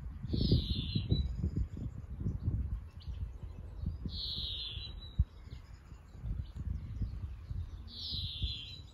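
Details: European greenfinch repeating a buzzy, descending wheezing note roughly every four seconds, over heavy low rumbling wind or handling noise.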